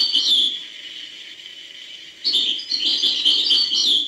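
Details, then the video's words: Goldfinch song in the hbal style: a brief twitter, a lull, then a fast, continuous run of bright, tinkling, jangling notes about three per second. "chant chardonneret hbal"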